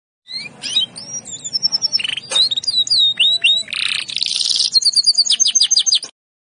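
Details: Canary in active, full 'gacor' song, finally breaking into song ('pecah'): rapid varied phrases of high sharp whistles, clipped chips and dense buzzy trills, notes repeated several times a second, against a quiet background.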